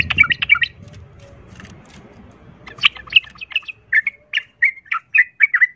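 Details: Sooty-headed bulbul provoking fight song: a quick chattering phrase, a pause, then a series of clear, downslurred whistles spaced about a third of a second apart.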